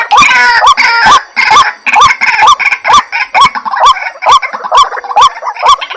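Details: White-breasted waterhen calling, used as a lure: raucous, loud croaking notes with a hooked rise, repeated in a regular beat of about two per second, starting dense and becoming more evenly spaced.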